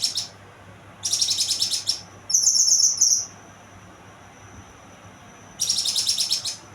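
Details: Young kinoy giving high, rapid chattering trills, then a brighter pulsed trill with thin overtones, a long quiet high whistle, and another chattering burst.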